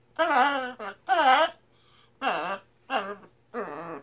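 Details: Scarlet macaw singing "Sinbad the Sailor man" in imitation of human vocals, indoors; drawn-out, wavering, voice-like notes in short bursts separated by pauses, each phrase about half a second long.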